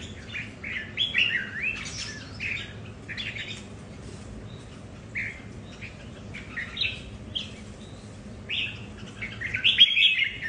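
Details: Red-whiskered bulbuls kept at home compete over territory with a long series of lively warbled phrases, sliding and chirping, spaced irregularly with short pauses and a louder burst near the end.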